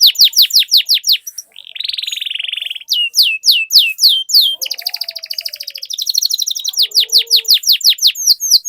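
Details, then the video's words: Rolling canary song played to coax caged canaries into singing: rapid descending whistled notes, a dense buzzy trill, more downslurred notes, then a long fast roll. Faint lower whistles sound beneath it. "Suara Pancingan Burung Kenari Agar Cepat Gacor dan Ngerol, Masteran Suara Kenari Ngeroll Panjang"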